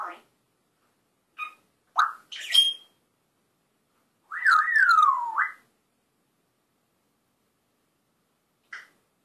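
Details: African grey parrot, a talking, swearing pet bird, giving scattered short chirps and squeaks, then a long wavering whistle that dips and rises before sliding down, separated by quiet gaps, with one brief final chirp.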